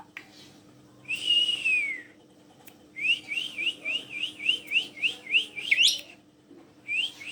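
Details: Loud, clear descending whistle from a black-collared starling used as a lure to get other birds singing, followed by a long run of bouncing rising whistled notes ending in a sharp upward sweep.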